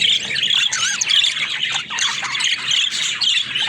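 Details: Pet budgerigars kept together, a busy flock filling the air with dense, high warbling chatter, scratchy squawks and quick chirps that never pause across the few seconds.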